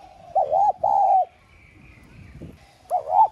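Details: Spotted dove kept as a calling lure, 'giọng son' style, meant to prompt other doves to coo. Two mellow hoots run back to back, then after a pause a third wavering coo begins.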